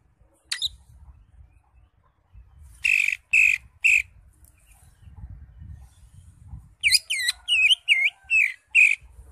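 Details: {'caption': 'Green leafbird singing, used to prompt a caged bird that has stopped singing: one sharp chirp, then three loud harsh notes, then a fast run of high, twisting whistled notes. Faint low rumble underneath.'}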